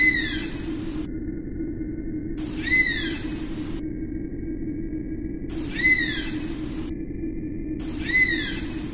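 Oriental Honey Buzzard giving short bursts of high, arched whistles that rise and fall, several per burst, over a steady low hum.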